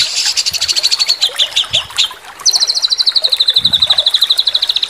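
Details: Owner's white-rumped shama in a tutor recording for competition songbirds, in 'sambung susun' style with 'tembakan' and 'kasaran' notes: high chattering phrases slide downward, then a pause and a long rapid trill of sharp, high repeated notes.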